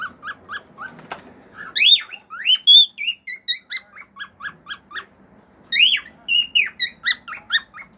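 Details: Pet male cockatiel at home singing its natural song with wolf whistles and clicking sounds. Short repeated chirps lead into loud upswept whistles, then a long train of quick, regular chirped notes and more rising whistles.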